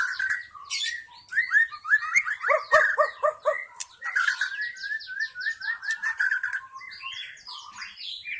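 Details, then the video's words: White-rumped shama forest song used to lure wild shamas: rapid series of repeated chopped notes around the middle, then a long run of varied chirps and whistles fading toward the end. "SUARA PIKAT MURAI BATU ASLI HUTAN"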